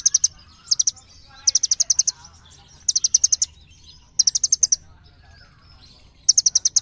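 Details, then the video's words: Little birds keep up a steady exchange of rapid, ringing high chirps, delivered in rhythmic runs of five to seven notes about every one to two seconds. "សំឡេងសត្វចាបកន្លង់ | The sound of birds | Little birds call each other"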